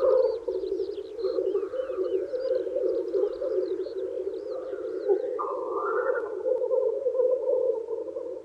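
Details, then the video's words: Several black grouse males display at a spring lek to attract females, their rolling bubbling coos running unbroken throughout, with one loud hissing sneeze midway and thin chirping songbirds early on. "Black Grouse Lekking"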